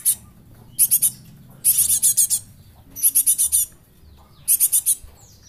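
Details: Young Java sparrow kept as a lure, a bird called rare and almost extinct and good for tutoring; four bursts of quick, thin, high-pitched chips, each run of three to five notes followed by silence, over a faint low rumble.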